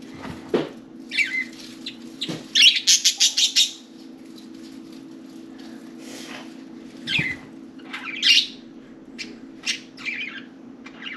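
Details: Budgerigars, four of them, playing on and inside their cage: scattered warbling chirps, a quick burst of rapid clicking notes, and a few dull knocks and scratches against a low background hum.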